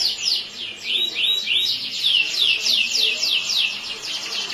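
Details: Yellow canary singing: rapid series of bright, buzzy sweeping notes, repeated several times a second in varied phrases, loud and close with little background.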